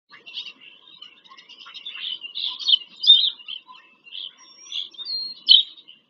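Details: Bald eagles visiting their nest in Pennsylvania farm country on 5 February 2023, recorded by a live nest camera: high, thin chirping chatter in irregular bursts, with louder squeaky notes near the end.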